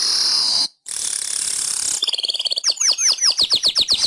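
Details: Indonesian master recording of a weaver for tutoring pet birds: a long, loud, hissing wheeze broken by a brief gap, then a rapid series of downward-sweeping, ringing notes repeated about three per second.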